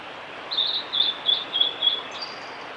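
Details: Male blue-and-white flycatcher singing at Miyagase Lake on the Kanazawa forest road, Japan, on 5 May 2018: a run of five clear, high whistled notes at an even pitch, each about a third of a second apart, ending in a brief thin higher note.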